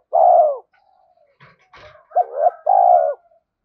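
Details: Decoy cooing of a spotted dove used to lure wild birds: a long mellow coo, faint scratchy noises, then a quick double note and a sustained low hoot.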